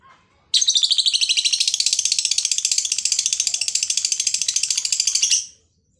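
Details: Lovebird from Aceh, Indonesia, in full voice: a long, unbroken, rapid rattling trill of shrill, harsh notes lasting about five seconds before stopping abruptly.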